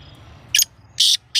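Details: Black francolin giving short, loud, rasping bursts of grating sound, spaced about half a second apart, over a faint low rumble.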